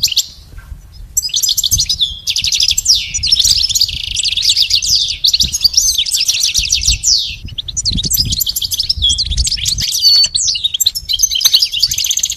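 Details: A goldfinch sings a fast, unbroken run of liquid twitters, tinkling trills and buzzy notes, high-pitched and busy throughout, over a faint low hum; a recording meant to teach captive goldfinches to sing.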